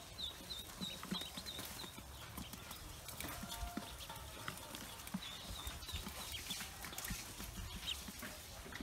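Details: Pekin ducklings, just hatched on a farm, give a quick series of high, thin peeps at the start and a few more later, set against steady rustling and scattered knocks.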